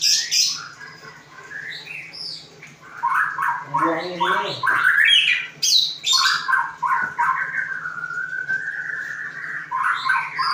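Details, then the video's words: Varied magpie-robin song: rich whistled phrases, warbles and slurs rising and falling, some abrupt harsh notes mixed in, ending in a long level whistle and renewed warbling. "Kicau murai"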